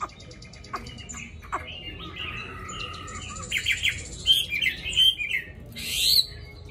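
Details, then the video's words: Caged Hwamei, a tamed bird with a wild-type voice that sings constantly, giving scattered whistled and slurred notes that grow louder and busier toward the end, over a low background hum. "họa mi thuần giọng rừng hay cực mau mỏ hót suốt móc ra là hót"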